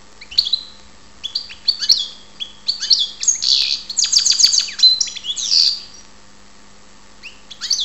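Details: Ptolemaida, Greece: European goldfinch song building from scattered high chirps into a dense, tinkling twitter with rattles and a harsh buzz, then falling quiet before a few final notes.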